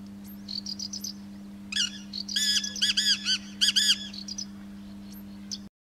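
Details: Black francolin calling from an agricultural building roof in fields of Yavne'el valley, Israel, February 2013, answered by another in the background, gives a loud, harsh, grating phrase of rasping notes about two seconds long after thin high chips, over a low hum.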